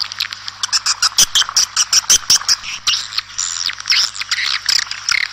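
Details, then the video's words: Swiftlets heard outside calling the flock together, with bursts of rapid, clicking chirps and thin high twitters repeated in quick succession, several birds overlapping. "Tiếng chim Yến kêu ngoài trời gọi bầy"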